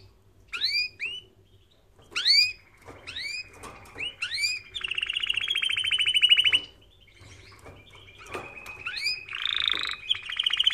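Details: Canary singing, used as a training recording for canaries: sweeping upward whistled notes repeated in bursts, then long fast buzzy trills and rolling rattles, loud and bright throughout.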